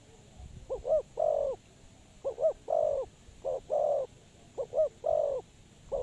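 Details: Decoy spotted dove for bird trapping, repeating a cooing pattern of two brisk notes and a longer resonant coo, about four phrases plus the start of another, light steady hiss.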